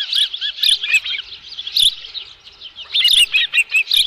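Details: Osprey at its nest at Dunrovin Ranch, 11 July 2018, a live fish on hand: clusters of piercing chirps, a short quieter spell near the middle, then loud rapid whistles again.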